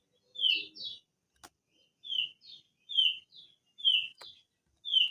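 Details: Crested darkeye in a lure recording meant to prompt long rolling song: paired sharp, downslurred whistled notes, the first strong and the second softer, repeated about once a second with short quiet gaps and a faint click between phrases.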